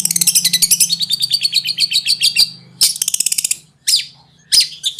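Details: Konslet-style tutor song from a long-tailed shrike (cendet): a long rapid trill of dry, ticking notes, then shorter chattering bursts with gaps between them, over a faint low drone.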